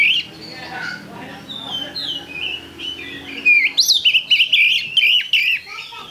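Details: Oriental magpie-robin singing as a lure for other birds: softer, rambling warbles at first, then from about the fourth second a loud, continuous stream of varied whistled notes with quick pitch jumps.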